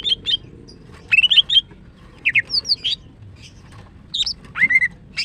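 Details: Female greater green leafbird, a kept bird singing in the morning: bright whistled and chirped phrases of two to five quick notes, rising and falling, in short bursts separated by pauses of about a second.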